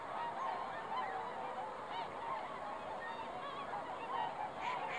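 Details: Swans on a lake in fog, recorded December 20, 2016; a constant chorus of honking from many birds, with short bugle-like notes popping out roughly every second above the crowd.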